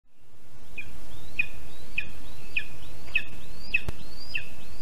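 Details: Lesser spotted eagle at a spruce nest 17 m up in western Zemgale, Latvia, about 7:23 am on 16 July 2023 as a bird is brought and eaten, giving high, thin yelping whistles, each sliding upward, about twice a second over low wind rumble.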